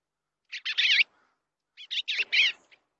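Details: Eastern bluebird at the nest, filmed with a nest camera, giving two short bursts of soft warbling notes, each a few wavering slurred syllables, separated by about a second of quiet.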